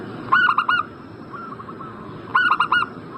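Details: Lure call of a zebra dove, meant to make a bird in breeding condition reply: two crisp bursts of rapid, rolling coos about two seconds apart, with a fainter coo heard in the gap.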